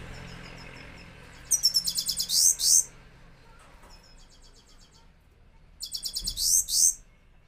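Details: Himalayan goldfinch singing in a cage: two bursts of rapid high chirping, each ending in harsher buzzy notes, with a quiet pause and soft distant twitters between them.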